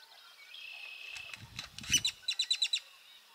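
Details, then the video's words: Great-tailed grackle at Burrows Pond, Sac County, Iowa: a drawn-out thin whistle, then a quickening run of sharp, dry clacking notes that grows louder toward the end. "Great-tailed Grackle"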